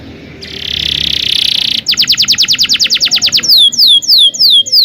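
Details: Canary with a long, lively song, used as a tutor recording to teach young canaries; a buzzy sustained note, then a fast even roll of repeated chirps, then slower downward-sweeping whistles.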